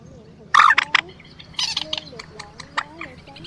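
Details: Quốc biển and Trích ré lure calls for night bird netting during the March 2024 migration: a few loud, rasping squawks, then softer scattered nasal chatter.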